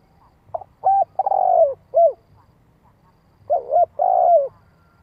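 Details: Spotted dove, 'giọng hạp' voice, calling to lure wild doves; choppy short notes and a long descending coo, then a pause and another double note with a drawn-out falling coo.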